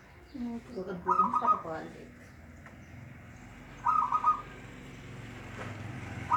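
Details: Local zebra dove song played as a lure for a dove reluctant to sing: short pulsed cooing phrases of a few rapid notes, repeated about every three seconds, with low muffled background sounds.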